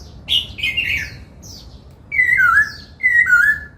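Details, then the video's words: Laughingthrush in song training for the 'bắt cô trói cột' style, singing while dancing: a sharp warbled note, pause, then two long clear whistles sliding downward about a second apart, with faint twittering behind. "Khướu hót múa, Luyện Khướu hót giọng bắt cô trói cột, Tiếng chim Khướu hót"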